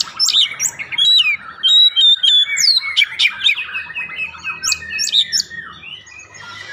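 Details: Lure song of an Oriental magpie-robin, meant to get birds singing: dense, varied whistles and rising and falling slurs tumble together, some harsher chatter, and a faint low hum underneath.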